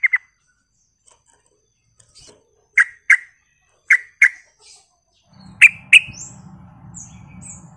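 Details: A Yellow-vented Bulbul, used as a lure call to provoke other bulbuls into answering, gives short bubbly chirps in quick pairs, each pair a second or so apart, with a low steady hum toward the end.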